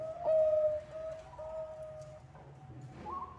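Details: Bangkok-type zebra dove singing steadily, used as a lure: long whistled cooing notes held level, one loud note then softer repeated tones, slight room echo.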